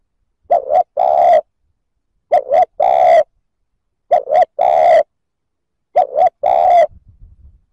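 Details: Steady series of four spotted dove phrases, about every 1.8 seconds, cooing to provoke rival males: each a quick two-part coo then a longer mellow coo, ending with faint low rumbling.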